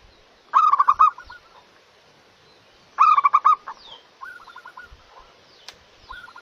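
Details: Local zebra dove cooing vigorously: loud, stuttering coo phrases about every two and a half seconds, each fading into quieter rolling trilled coos, with an occasional sharp click.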